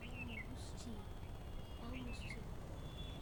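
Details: Bulbul singing on a house rooftop in the afternoon before evening. Two short bursts of bright, falling whistled notes come about 1.8 seconds apart, over low hum and quiet speech from people nearby.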